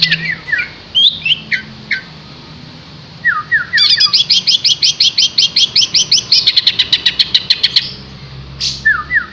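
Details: Vigorous green leafbird song mixing scattered whistled slurs with a long, accelerating train of sharp high chips, then more drooping whistled notes.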